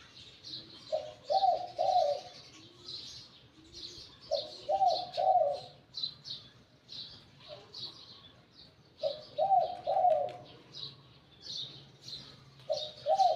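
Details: Wild-caught decoy spotted dove with a medium-to-large voice. It repeats short low cooing phrases about every three to four seconds, while other birds chirp steadily at high pitch.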